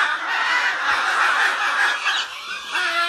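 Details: A pet pair of Goffin's cockatoos in Aurangabad, India, gives harsh, raspy, continuous chattering calls for about two seconds, eases briefly, then gives a few thinner tonal notes near the end.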